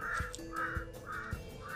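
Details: Many crows flying around a reportedly haunted house in the Philippines give harsh, hoarse caws roughly every half second, described as an unusual call, over a steady low drone and a few dull thumps.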